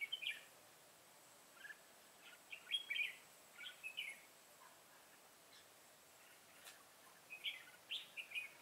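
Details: During trapping on 25 September 2018, a decoy red-whiskered bulbul fight-sings to lure wild birds. Short, sharp warbled phrases are repeated every second or so, some loud and some distant, over light hiss.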